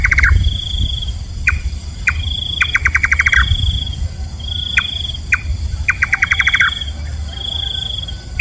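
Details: Night-active nightjar, locally called kaba, giving single sharp dropping notes and bursts of rapid clipped notes in quick series, while a thin high droning tone comes and goes behind it and a low rumble persists.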